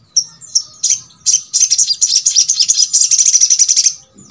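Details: Sogok ontong, the brown-throated sunbird, singing to encourage reluctant birds of its kind to sing: scattered sharp high chirps that build into a fast, continuous, shrill chattering trill, then stop abruptly.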